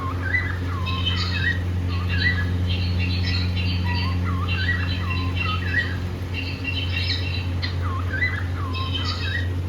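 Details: Pair of pet cockatiels in India, happy and playing, giving a run of whistled chirps and rising and falling squawky notes, some looping upward, over a steady low indoor hum.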